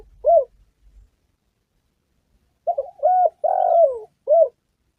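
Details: Spotted dove calling for use as a trapping and hunting lure: a lone soft coo, a pause, then a full four-note phrase ending in a long sliding coo and a short final note.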